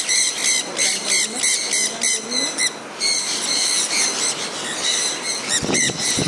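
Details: Kept sun conures out in the rain give a fast run of sharp, grating shrieks, several birds calling over one another, with a low thud near the end and continuous rainfall in the background.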